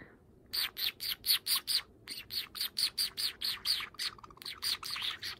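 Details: Java sparrow; call; calling insistently to keep its owner from leaving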